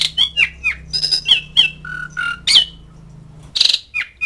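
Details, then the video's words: Asian pied starling calling to mates and rivals: quick downslurred whistles, a pair of steady mid-pitched whistles, then a loud harsh screech and a final slurred note. "NADA KICAU CALLING JALAK SUREN MEMANGGIL LAWAN"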